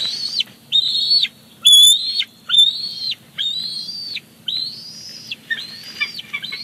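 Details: At Big Bear Lake on 18 July 2019, a male bald eagle delivers a fish to the chick, who seizes it. Shrill drawn-out whistled notes, arched and sliding down at the ends, repeat roughly once a second.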